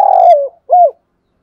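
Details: Morning flock call of a spotted dove used as a decoy: a long, steady low coo sliding downward, a short pause, then one arched hoot.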